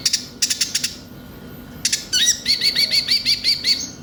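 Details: Konin (brown-throated sunbird) singing in a recording used to prompt birds into song: short bursts of high dry clicks, then a fast series of thin upslurred chirps repeated about every fifth of a second.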